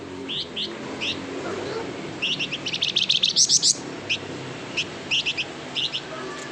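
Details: Flamboyan song for prompting reluctant birds: scattered high chirps building into a rapid trilled run, then spaced single chirps against steady background hiss.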